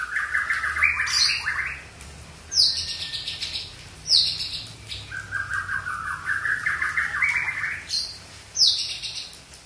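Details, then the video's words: Young wild white-rumped shama singing: bright whistled phrases alternating with buzzy, scratchy rising notes, each phrase opening with a sharp high note, repeated about every one and a half to two seconds. "Murai Aceh Muda Hutan"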